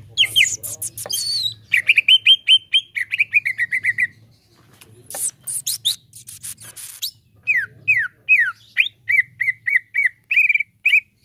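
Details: Leafbird (cucak ijo) song used as a lure to get a caged bird singing: series of bright, clear whistled notes, many sharply down-slurred, mixed with dense buzzy chips and rapid chatter, with a faint low hum beneath.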